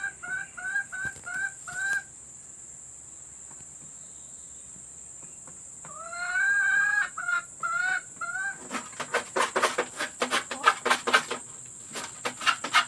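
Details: Hen calls recorded as a lure for laying hens: short nasal notes repeated about twice a second, then a longer rising series. The calls give way to a burst of sharp clicks and rustling noise.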